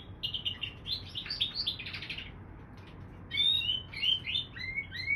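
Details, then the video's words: Canary crossed with bullfinch gives a fast buzzy chatter, a short pause, then a series of clean whistled notes that slide upward, repeated several times. "Mulet canaris bouvreuil"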